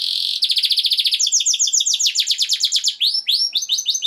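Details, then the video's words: Canary singing for mating stimulation: a steady buzzy note, then a rapid pulsed trill that shifts to higher rolls, ending in looping rising-falling whistled phrases. "تغريد كناري رائع Tweet a wonderful canary"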